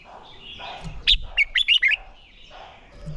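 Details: Red-whiskered bulbul contest-training song: a single tight phrase of five or six quick, liquid whistled notes over faint background hiss.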